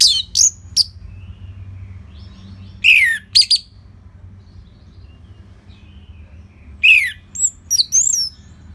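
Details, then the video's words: Orange-headed thrush kept as a song bird, its song used to train other birds, from northern Bali: short separated phrases of sharp whistled notes, some sliding down steeply, in bursts with pauses between, over a low steady hum. "Dipancing Dengan Kicauan ANIS MERAH Gacor Selow Ini"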